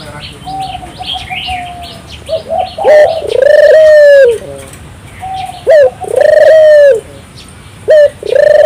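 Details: Turtle dove singing vigorously, used to stimulate local doves to sing: a short clipped note followed by a long, low, steady rolling coo, repeated, with thin chirps and twitters of other small birds higher above.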